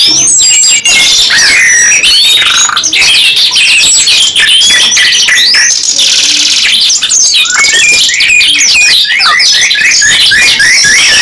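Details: Two canaries in a 'gacor nembak panjang' style, a lively song with long bursts, pour out a dense, continuous high warble of whistled slurs, rapid trills and buzzy rolls, overlapping without pause throughout.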